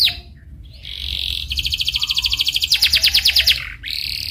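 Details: Canary lure song meant to prompt a canary to sing: a steady whistled tone leads into a rapid rattling roll that turns into quick descending slurred notes, then a final high note.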